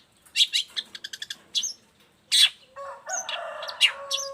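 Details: Long-tailed shrike in full song, used as a master model and lure for other shrikes: a burst of short sharp chirps, then a loud harsh note, with a lower steady whistled tone running underneath toward the end.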